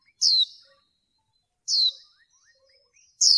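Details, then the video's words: Calls of a female white-eye, used in bird training to excite males. Three sharp, high notes slide downward, spaced about one and a half seconds apart, with soft chips in the pauses. "Khuyên mái kích trống | khuyên mái kích trống nghe là trống mê"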